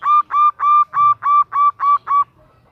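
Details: Eight even, ringing notes from a female zebra dove calling the male, delivered at a steady pace of about three per second and all of one pitch, then silence.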